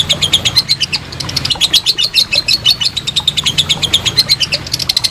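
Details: Lovebird giving a long ngekek trill, kept as a training master for contest birds: a steady run of rapid, sharp, high chattering notes, about eight pulses per second, continuing unbroken throughout with a faint low hum behind.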